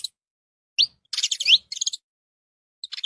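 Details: Saffron finch (canário-da-terra) delivering high, quick chirps and short upward-swept notes in a tight cluster, with a final burst of rapid twittering.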